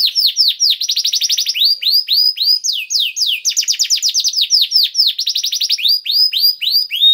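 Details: Canary song, used to prompt other canaries to sing: fast trills of repeated high notes switching to slower series of downward-sweeping whistled syllables, changing tour every second or so, continuous and loud.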